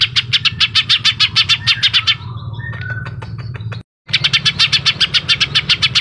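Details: Greater green leafbird singing in the 'suara pedas' style. Rapid, evenly spaced bright chirps give way to soft scattered whistles and a brief silence, then the quick chirping resumes, with a constant low hum underneath.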